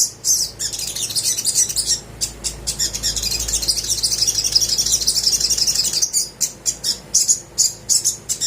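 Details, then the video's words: Little spiderhunter song used to get quiet birds singing: a few sharp chirps, then a long continuous high twittering trill, ending in evenly repeated clipped notes. "PANCINGAN SOGOK ONTONG GACOR DOR COCOK UNTUK BURUNG MALAS BUNYI"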